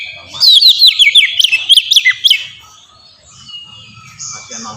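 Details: Oriental magpie-robin (kacer) singing in the ngeplong style, used as a lure to train young birds to sing: a burst of loud, rapid whistled and chirping notes around the first two seconds, then quieter fading phrases.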